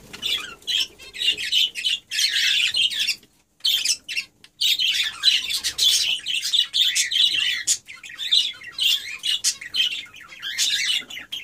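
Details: A mating pair of budgerigars, which now have five eggs, chatter in a fast, scratchy warble of chirps and squawks, with a brief pause.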